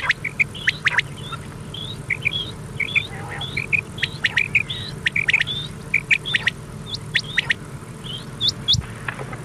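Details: Old cassette recording of common quail, meant to run at night: crisp short calls in doubled and tripled groups, some rising sharply, repeated steadily above a low hum and clicking noise.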